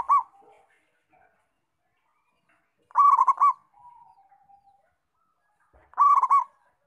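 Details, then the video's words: Local perkutut (zebra dove) repeating its cooing song roughly every three seconds, each bout a fast burst of rounded pulsed notes with a held ending, a soft low murmur between phrases. "Perkutut Lokal Gacor"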